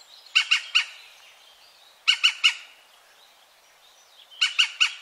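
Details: European green woodpecker recorded in 2017 near Wittlich: three bursts of harsh, ringing three-note calls, each note a quick loud 'kyück', separated by about two seconds of quiet, with no other clear sounds.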